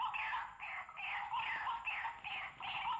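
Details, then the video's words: White-breasted waterhen producing loud, harsh, croaking phrases in a pulsing rhythm, about three bursts a second, with a faint steady high-pitched whine throughout. "Ganas burung ruak ruak nya"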